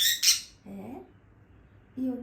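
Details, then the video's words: Angry budgerigar giving a short, harsh, broad squawk, followed by a woman speaking Portuguese to the bird and a further low vocal sound. "Som de Periquito Bravo"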